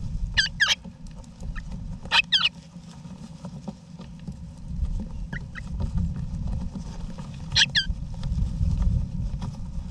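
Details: A family of wild eastern rosellas in a backyard nesting box, Australia, November 2018: scattered double rasping calls and a few faint short notes, with steady low-frequency rumble beneath.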